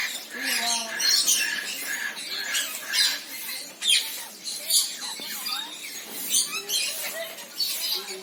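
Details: Senegal parrot calling in a varied series: harsh squawks mixed with short whistled, bending notes, repeated irregularly about every second.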